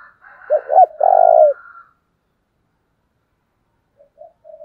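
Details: Spotted dove used as a decoy to draw in wild doves, giving two sharp hooked notes and a long rolling burred coo, then silence before soft distant coos.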